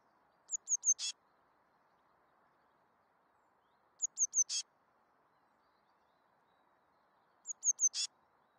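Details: Eurasian blue tit (Cyanistes caeruleus), call.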